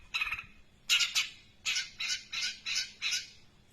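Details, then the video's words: A long-tailed shrike imitates a tree sparrow with a quick series of loud, raspy chirps, some doubled, repeated at a lively, slightly uneven pace. "cendet nembak Greja super panjang"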